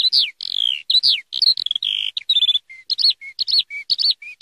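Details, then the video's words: Eurasian skylark singing: a rapid, high-pitched, unbroken stream of varied chirps, slurred downward whistles and short buzzy trills, with brief gaps between phrases and no other clear sounds. "Eurasian Skylark (Alauda arvensis) sound / (صوت قنبرة الغيط (مطوق"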